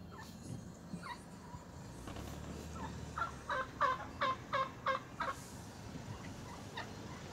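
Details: Wild turkeys in the city: a rapid run of throaty, rattling gobble notes in the middle, about three per second, over steady background noise.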